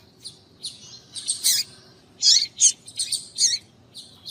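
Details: Female double-collared seedeater gives rapid, high chattering calls meant to excite males, short notes tumbling one after another with brief pauses, some fuller and louder than others.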